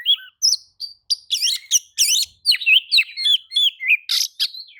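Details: Oriental magpie-robin reacting to another magpie-robin's singing: a long, lively stream of whistles, chattering rasps and buzzy notes in rapid succession, with barely a pause.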